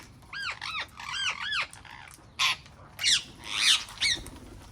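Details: Wild parrots calling in a garden: a run of four clear, arched, ringing notes, each rising then falling, followed by three loud, rasping screeches.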